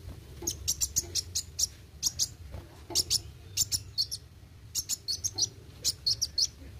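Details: Kolibri wuling, or olive-backed sunbird, singing roll tembak: rapid sequences of bright, high, clipped notes in bursts of four to six, separated by short breaks, with low hum in the background.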